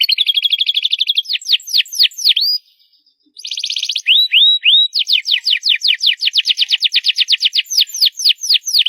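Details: Canary singing loud: a buzzy high trill, sweeping whistles, a brief silence, another short buzz, then long accelerating series of sharp downward whistled notes.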